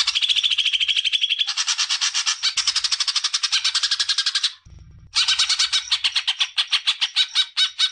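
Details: Greater green leafbird singing, used to stimulate juvenile birds to sing: a long, rapid, rattling trill of harsh high notes, then a half-second pause, then another fast buzzy run of chattering notes.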